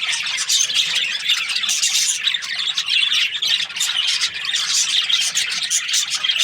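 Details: Australian budgies chirping together: a dense, continuous wall of high, scratchy chatter and squeaky warbles with no pauses, many birds calling at once.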